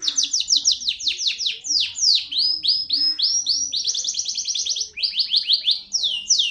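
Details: Canary of a local type in continuous song, a rapid series of bright downward-sweeping notes, some stretched into longer slurs, broken by short buzzy rattles, with almost no pauses.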